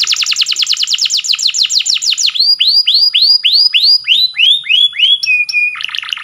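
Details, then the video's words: Canary training song opening with a very rapid rolling trill, then a slower series of rising-then-falling whistled notes, and a short steady whistle before another trill. "Canary Singing _Canary's most powerful song for training"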